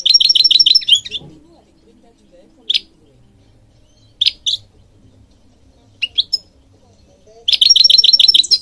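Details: Singing European goldfinch, a songbird breeding across Morocco including public gardens; rapid bursts of bright, high twittering notes open and close the passage, with scattered single and paired sharp chirps between them.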